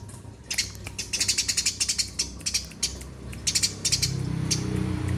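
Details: Eurasian tree sparrow chirping briskly: a rapid run of short, high, sharp chirps about three per second, a short pause, then another quick burst, with low rumbling background noise rising toward the end.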